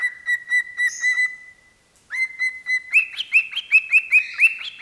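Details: Pet parrot singing into a microphone: a string of short, clear whistled notes on one pitch, a brief pause, then a faster series of upward-slurred whistles that step higher.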